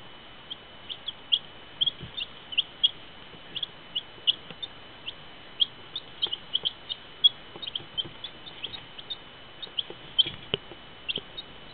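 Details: Several baby chicks give a busy stream of brief high-pitched peeps, some rising and some dropping, clustered irregularly with short pauses, against a constant low electrical hum and faint handling knocks.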